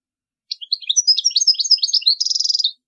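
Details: European goldfinch song for teaching chicks: one continuous phrase of varied liquid chirps building into a fast twitter and closing with a buzzy, even high trill.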